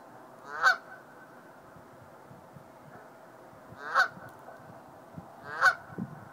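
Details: Goose on a roof in spring giving three loud, nasal honks at about 0.7, 4 and 5.7 seconds, each a short harsh burst with rich harmonics, separated by quiet gaps over faint low background rumble.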